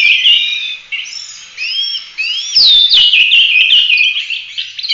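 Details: Oriental magpie-robin singing in full-roll 'tembak' style for bird training: pure rising whistles repeated in pairs, building into a loud sweeping slur and dense warbling.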